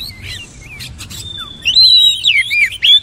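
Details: Oriental magpie-robin song of soft chirps and twitters leading into a long, loud, wavering whistle that breaks into rapid looping notes.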